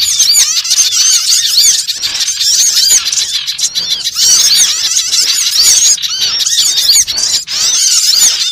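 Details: Flock of small birds calling at once as a trapping lure; high, sharp chips and twitters pile up into a continuous bright chatter with a few harsher squawky notes.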